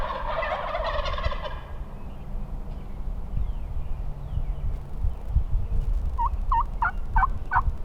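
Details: Wild turkeys in a large flock on public land during a Nebraska spring hunt, gobbling close by though they seemed farther off: a loud rattling gobble opens, then a series of short hoarse yelps, wind in the background.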